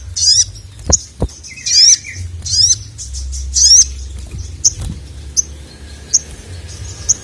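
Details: Sogon (ruby-cheeked sunbird) calling the male: several buzzy, rising high squeaks in the first half, then single sharp high chips repeated about every three quarters of a second, with a couple of knocks.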